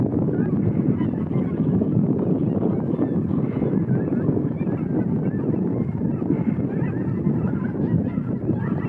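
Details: A flock of cackling geese taking off and flying: many high, yelping honks overlap without pause, over a low, steady roar that sounds like beating wings.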